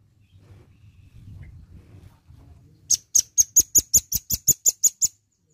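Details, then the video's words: A velvet-fronted nuthatch in full song, used as a lure sound, gives a fast run of about a dozen sharp, very high notes, roughly five a second, after a low background rumble. "PANCINGAN BUNYI BURUNG RAMBATAN PARUH MERAH GACOR"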